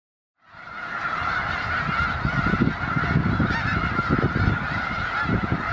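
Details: A large winter congregation of snow geese in Skagit County, Washington, gives a constant, overlapping din of nasal, high-pitched honks, with a low rumble of wingbeats and movement underneath.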